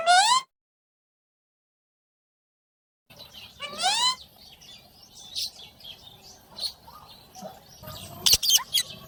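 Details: Rose-ringed parakeet (Psittacula krameri), screech call: courtship.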